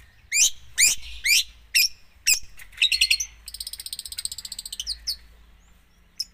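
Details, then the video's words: Long-tailed shrike in energetic 'full isian' song: a few loud, sharp, descending notes, then a fast buzzy rattle of rapid pulses, ending with scattered high chips. "cendet gacor full isian"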